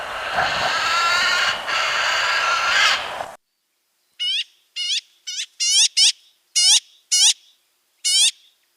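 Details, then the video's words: Magpie calling after a few seconds of loud, hissing broadband noise with faint tonal streaks. Then comes a series of short, harsh, harmonic-rich squawks, each with a low rising underline, given in irregular bursts with silence between. "Magpie sounds. The sounds that the magpie makes. What sounds does a magpie make?"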